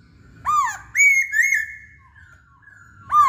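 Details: Masked laughingthrush, called Poksay Hongkong, in full song: a down-swooping whistle, then two bright level whistled notes and a fading tail, with another swoop at the end.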